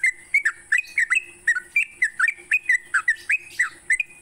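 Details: Song of a sooty-headed bulbul played in the morning to train songbirds: steady stream of cheerful, warbled whistles, each note a quick dip and rise, about four a second.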